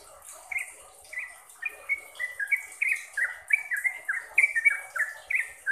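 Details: Trucukan song of a sooty-headed bulbul, played to train caged birds to be chatty and fast: clear whistled notes, each slurring downward, repeated in an accelerating string that grows louder toward the end.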